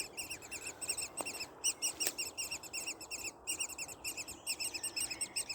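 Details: Young woodpeckers inside a nest, quite vocal: a dense chorus of high, buzzy, rasping begging notes repeated rapidly, nearly three per second, in bursts with short pauses; a couple of faint knocks.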